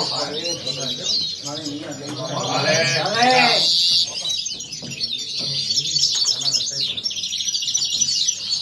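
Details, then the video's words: European goldfinch singing the kawasaki strophe, repeated two to five times: rapid high twittering and metallic trills throughout, briefly overlapped by a person talking loudly near the middle. "Jilguero pegando kawasaki"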